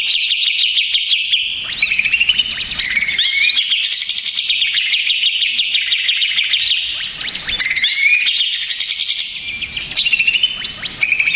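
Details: Long burst of agitated greater green leafbird song used as a lure: nonstop high chattering with rising and falling whistled swoops, mimic-like variety and rapid repeated notes throughout.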